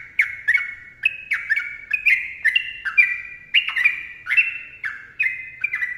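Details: Sooty-headed bulbul in lively, long rapid song, recorded as training and lure material: bright whistled notes in a continuous chain, each slurring downward, alternating between a higher and lower pitch at an even, quick pace.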